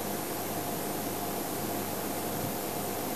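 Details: Steady mechanical hiss and hum like a fan or engine, with no animal calls heard.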